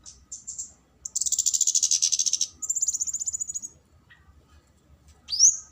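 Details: Flowerpecker calling, used as a lure to draw a rival: high thin chirps, then a long buzzy rattling trill near the top of the range, a shorter rattle, and a final sharp rising squeaky note.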